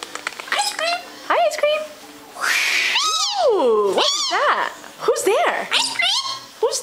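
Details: Pet galah, a six-year-old male rose-breasted cockatoo rehoused about six months earlier, producing varied rising and falling squeaky whistles and meow-like mimicry while a woman talks to him indoors.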